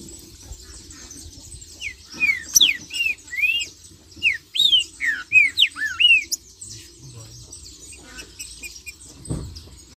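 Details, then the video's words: Trinca-ferro, the green-winged saltator, singing 'marcheando' to stir other saltators into song: after a quiet start, a run of about a dozen clear arched and down-slurred whistles over four seconds, then silence and a soft thump. "Trinca-Ferro Marcheando e Cantando - A Melhor BADERNA para Esquentar seu Pixarro"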